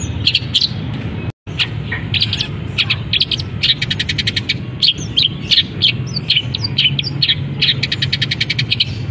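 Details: Caged long-tailed shrike in full song once uncovered, mixing in canary, fighting sparrow and kapas tembak imitations; dense rapid trills and buzzy chatter pour out almost nonstop, broken only by one brief silent gap, with steady low background rumble.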